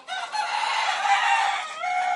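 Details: Rooster on a farm, one loud sustained crow lasting nearly two seconds, rich and harmonic, holding steady before dropping off with a short tail at the end.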